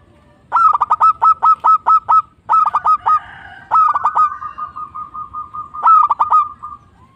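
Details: Zebra dove of a local strain calling vigorously: series of sharp, clipped cooing notes in quick runs, one phrase trailing into a longer rolling trill that fades out, with brief pauses between bursts.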